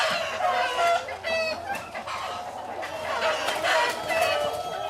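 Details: Chickens peeping and cackling in the henhouse of a poultry farm: overlapping nasal, harmonic cackles rise and fall against a constant noisy background of other birds.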